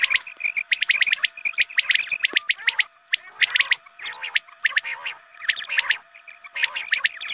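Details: Dawn-time quail calling meant to attract quail for hunting: busy bursts of shrill chirps and squeaks, some notes dropping lower, separated by short gaps, over a steady low hum.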